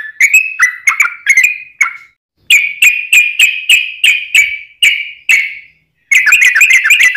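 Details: Continuous long 'ropelan' song of a yellow-vented bulbul, a clear, crisp recording meant for tutoring caged birds and attracting wild ones: repeated sharp chirping phrases in short bursts, brief silences, ending in rapid tumbling warbles.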